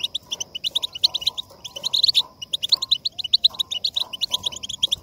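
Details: European goldfinch song for stimulating other goldfinches to sing: dense run of bright, tinkling, twittering notes high-pitched and rapid, with soft lower chirps in the background.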